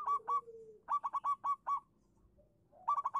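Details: Zebra dove of local stock singing to lure other doves into answering: paired short coos, then a quick string of six bright staccato notes, silence, and a fresh rapid triplet.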